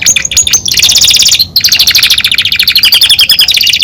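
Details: Belgian canary, a caged male songbird, singing: a few sharp chirps lead into long, loud rolling trills of very fast repeated high notes that continue almost without pause.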